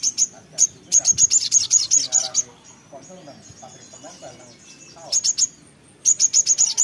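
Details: Actively singing little spiderhunter, locally sogok ontong: fast series of about a dozen thin, very high chips, a pause with faint low sounds, then two more quick bursts of the same piercing notes.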